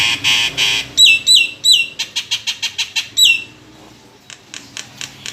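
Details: Nias hill myna kept as a caged songbird: harsh rasps, then looping high whistles and a rapid string of short chirps, ending in quieter clicking notes.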